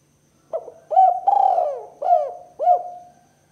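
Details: A male spotted dove's call, used as a lure for young doves, is a soft, hollow cooing phrase of about five low notes, the middle one drawn out and falling, in a quiet setting.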